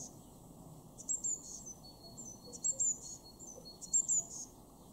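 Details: Eurasian blue tit in a February 2023 garden at Weener, East Frisia, Germany, uttering three bursts of very high, thin notes, each a quick pair sliding slightly downward, about one and a half seconds apart.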